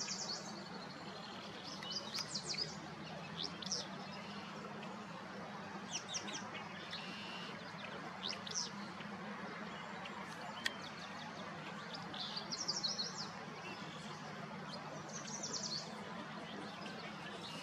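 A willow flycatcher gives short, sneezy, buzzy song phrases every few seconds over steady background hiss.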